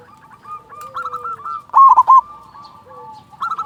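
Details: Local zebra dove singing a loud lure song to stimulate other doves: a single forceful rolling coo stands out in the middle, surrounded by gentler repeated coos from other doves.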